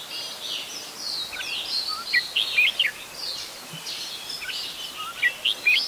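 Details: Adult Red-whiskered Bulbul recorded in Ubon Ratchathani, Thailand, on 16 December 2020, calling in loud, sharp, down-slurred chirps in short bursts amid a busy background of many other twittering birds.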